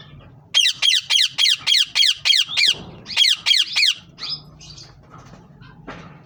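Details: Green ringneck parrots calling a steady, fast series of about a dozen loud, harsh squawks at an even beat, followed by quieter scattered squeaks.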